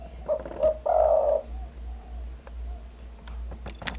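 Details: Spotted dove calling on a recording used to lure birds: two short coos and a long coo early on, then scattered faint clicks and knocks.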